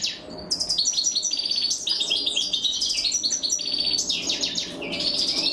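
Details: Goldfinch chicks fed by their mother; continuous loud, rapid, buzzy high chirping with trilled clusters throughout.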